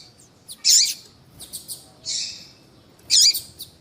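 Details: Female Coleiro baiano calling a lot to excite the male: three loud high chirps about a second apart, each with a swooping lower tail, with a few soft ticks between.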